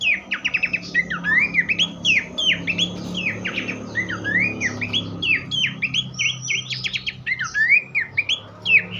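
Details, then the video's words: Tutor recording of Horsfield's babbler song for training captive songbirds: a fast, continuous stream of sharp upslurred and downslurred whistles and clipped chirps, repeated many times per second with little pause, over a low steady hum. "vokal mewah sang guru masteran khas pelanduk semak."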